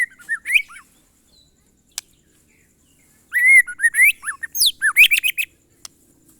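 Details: White-rumped shama, monotonous glondong song: a short whistled phrase, a pause with a single click, then a lively burst of arched whistles and sharp descending slurs.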